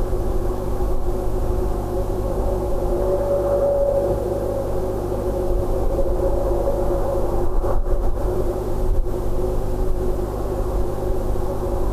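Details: A steady low engine-like rumble with a faint humming tone fills the recording, and no animal calls can be made out.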